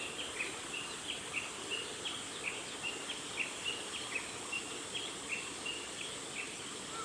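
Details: An Ashy minivet preening in a nature observation garden on 1 August 2020 gives short, high, chirping notes repeated roughly every half second over a steady background hiss.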